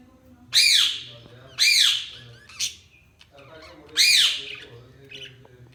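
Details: Budgerigar chirping: three loud, harsh arched calls spaced about one to two seconds apart, plus one short sharp note, over a faint low hum.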